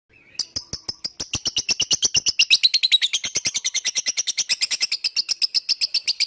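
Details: Lovebird sound used as a lure to get other birds singing along: one long, rapid, shrill trill of sharp chirps, about eight per second, holding steady for six seconds.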